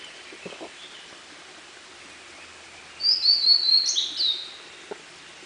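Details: Blue-and-white flycatcher singing in a dark forest at Munakata, Japan, May 2013: after quiet with faint low knocks, one high whistled phrase of sliding notes ending in a brief buzzy flourish.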